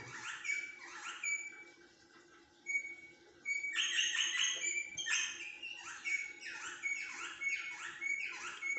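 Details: Rosella producing repeated high whistled chirps and trilled bursts, fairly rhythmic and busy, after a short lull near the start, with low hum underneath.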